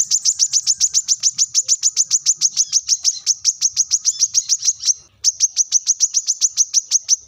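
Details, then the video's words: Sharp rival-summoning call of a brown-throated sunbird: a long, even stream of high, clipped chips, several per second, with one brief pause before the rapid run resumes. "kolibri kelapa | manggar | wiceh | suara tajam memanggil lawan"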